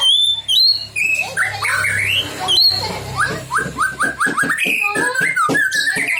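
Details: White-rumped shama singing to provoke other shamas: varied whistles and harsh rattling notes, then a quick descending series of short slurred notes, over a low background hum.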